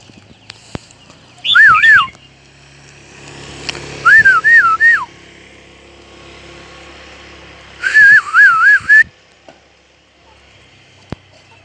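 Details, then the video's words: Crested bird in a H'Mong highland village sings three separate phrases a few seconds apart, each a loud looping whistle that dips and rises, with faint clicks and quiet background noise between. "The Crested Bird Sings Beautifully"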